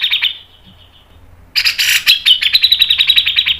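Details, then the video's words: Grey-cheeked bulbul (cucak jenggot) singing in the fast, tight mbeset nembak style for training and luring: a high sustained whistle fades, then a sudden harsh burst gives way to a rapid pulsing trill, about four beats per second. "MASTERAN CUCAK JENGGOT MBESET NGEPIK NEMBAK PANJANG SPEED RAPAT | PANCINGAN cucak jenggot"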